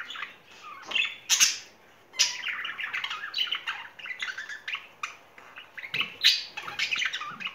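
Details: Pet budgerigar pair, a courting couple in spring, giving bursts of chattering warble with scratchy squawks and short whistled notes, separated by brief pauses indoors.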